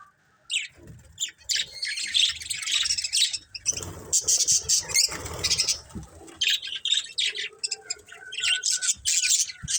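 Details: Colourful budgerigars in a family flock chirping in scratchy, high overlapping bursts, broken by brief gaps and some soft low rustling.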